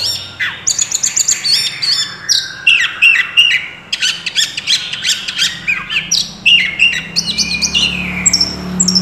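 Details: Oriental magpie-robin singing non-stop in 'gacor' style with full 'isian' mimicry for a master recording: dense bursts of shrill chips, buzzy rattles and bright whistled slurs repeat quickly and unevenly throughout.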